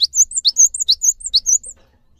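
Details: Java sparrow lure song to prompt caged birds into answering: a rapid chain of down-slurred chips and high bright whistles, about nine notes in under two seconds, then silence.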